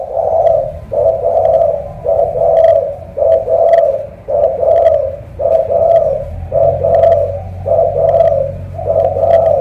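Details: Spotted dove, a thổ cọp with a powerful voice, from Cà Mau: a steady series of short, hollow coo notes, roughly one every 0.7 seconds, over a faint low rumble that rises partway through.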